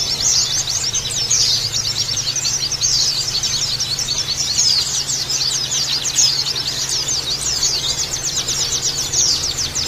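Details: Oriental white-eye lure song intended to stimulate birds into singing. Busy high-pitched twittering with quick rising and falling chirps packed closely throughout, a few louder bursts, and a continuous low background hum.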